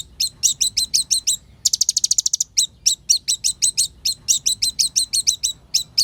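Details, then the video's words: Olive-backed sunbird, kept singing bird, song used as a lure to provoke other birds; rapid high repeated chips in bursts, a fast dense trill in the middle, then more spaced sharp notes. "SUARA BURUNG KOLIBRI NINJA GACOR FULL NEMBAK ISIAN MEWAH !! PANCINGAN KONIN BAHAN AGAR CEPAT EMOSI"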